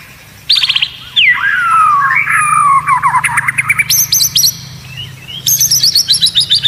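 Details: Murai batu training song of unusual sounds for competition birds: a high note, then long slurred descending whistles, followed by bursts of sharp, high, stuttering chips, with a steady low hum behind.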